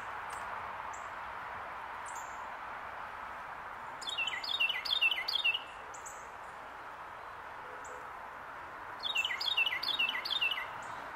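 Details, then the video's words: Carolina wren perched on a branch singing in Pennsylvania in January 2024: two bursts of fast, ringing phrases, each a short cascading group of notes repeated several times, about three seconds apart, over steady background hiss with a few thin high chirps. "Carolina wren sitting on branch singing"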